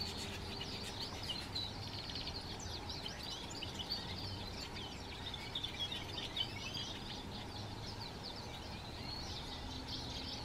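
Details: Wild Atlantic canaries (Serinus canaria) at Moya, Gran Canaria, in November 2024, one keeping the others from eating, give a dense, steady chatter of high, bright chirps and twitters overlapping throughout, over a low background rumble.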